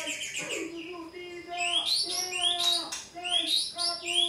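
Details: White-rumped shama singing, meant to provoke a caged bird to reply: a rapid chattering start, then high rising whistled sweeps repeated roughly every second, over steady low humming tones.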